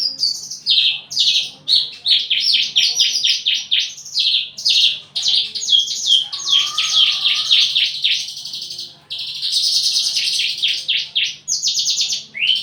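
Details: Javan bush lark in breeding condition, wings quivering and crest raised while courting; a long fast stream of high chattering, buzzy notes and rattles, with a faint low whistled tone midway.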